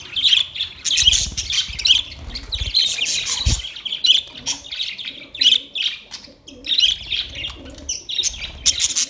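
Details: Parrots in a colourful white and green colony give scratchy, high chattering calls from many birds at once, with low thumps and rustling underneath.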